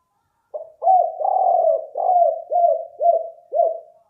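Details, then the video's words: Balam kuk, the spotted dove, giving its lure call: a short opening note followed by a string of about seven soft, hoarse coos, each bending downward, delivered about two per second. "Suara Ajaib Balam Kuk 4"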